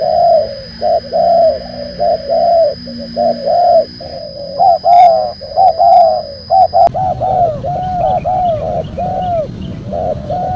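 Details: Spotted dove coos played as a lure to attract wild birds: a long, busy series of mellow mid-pitched coos in quick phrases. A steady high whine runs through the first part, and a few clicks are heard midway.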